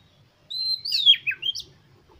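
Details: Short oriental magpie-robin phrase used to spur other magpie-robins into song. A clear sustained whistle dips into a rough, twisting note, followed by two quick upslurred whistles.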